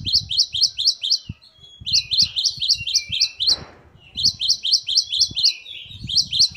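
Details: Great tit song: rhythmic trains of sharp high chirps in groups of five or six, with a brief noisy rush midway. Low thumps and rumbling noise run underneath.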